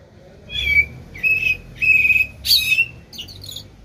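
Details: Singing common blackbird delivering a run of clear whistled notes, each about half a second long, ending in a higher squeaky flourish over faint background hum.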